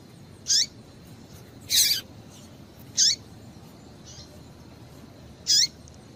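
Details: Female Double-collared Seedeater giving calls to prompt singing males. Four high, bright chips with downward-sliding tails come roughly every one to two seconds, one of them fuller and longer.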